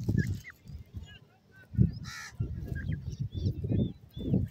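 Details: Ring-necked pheasant chicks peep in short, high, curving notes, with one brief raspy burst midway. Strong low-frequency thumps and rustling recur throughout.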